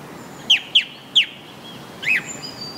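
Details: Singing song thrush gives a phrase of three quick, sharply falling whistled notes, then a short pause and a scratchier falling note with faint high tones after it.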